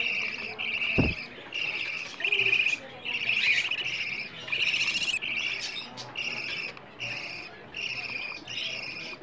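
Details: Budgerigar nestlings begging to be fed, sound used to encourage budgies to breed, played morning and evening: rapid raspy chirring bursts repeated many times, with one sharp click near the start.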